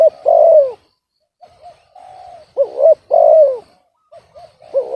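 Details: Spotted dove with a voice called discordant rather than the big deep voice aimed for, giving a long falling coo, then softer level notes, then a hooked double note and another long descending coo.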